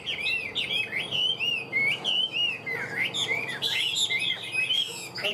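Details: Hwamei in captivity, described as singing extremely well and fighting well: steady torrent of clear, looping whistles with rising and falling slides, loud and close, with pulsing rhythm.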